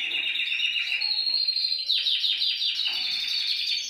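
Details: A singing canary, used to stimulate other canaries into song, delivers a sustained high trill that breaks into a series of quick descending rolled notes near the end.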